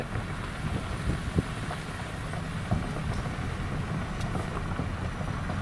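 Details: Wind buffets the microphone over a low engine rumble, with a few soft knocks and no animal voices.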